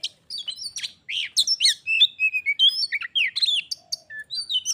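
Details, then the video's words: Singing battle between a pet white-rumped shama and a wild visitor that ends in a fight: dense, fast mix of sharp chirps, slurred whistles and chattering notes, packed with little pause. "Kacer _adu suara sampai jadi bertarung/fight Cok‼️"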